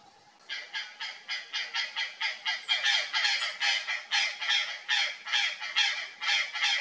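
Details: Purplish jay (gralha-do-pantanal), startled by something strange in a bush, gives a steady series of harsh, nasal, honking calls. About two per second, continuing without a break for roughly six seconds, each call rough and broad.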